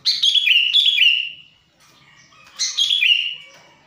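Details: Sooty-headed bulbul in the wild, recorded for luring others of its kind: rich, warbling, liquid notes in a phrase of about one and a half seconds, a short gap, then a second similar gurgling phrase.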